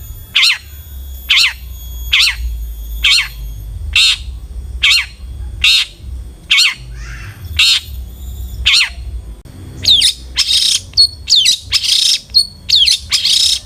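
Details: Long-tailed shrike used as a lure to prompt other shrikes to sing: a steady run of harsh rasping calls roughly once a second, then a quicker burst of varied buzzy, scratchy notes, with a low background hum.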